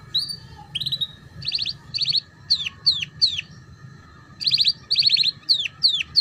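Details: Canary song played as a tutor for juvenile canaries, ngeriwik style: a whistled note, then rapid buzzy trill bursts alternating with quick downward-swooping notes, separated by short pauses, with a faint constant hum behind.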